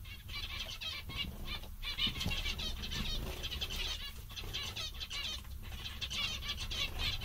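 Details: Happy zebra finches keep up a near-continuous chorus of short nasal beeps and rapid buzzy notes, with a few brief pauses, over a low background rumble.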